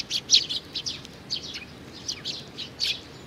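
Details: Baby sparrow, June 2019: a loud opening chirp, then softer downslurred high notes scattered across a few seconds, ending in another strong chirp.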